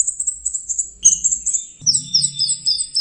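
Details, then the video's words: Geokichla citrina, the orange-headed thrush, giving rapid, high, chattering notes, then high descending whistled phrases repeated several times, over a low, rattling background noise. "Burung anis merah jenis burung kicau mahal dan suaranya merdu"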